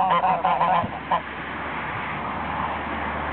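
Geese give a quick burst of four or five nasal, brassy honks in the first second, then fall quiet against a steady background hiss.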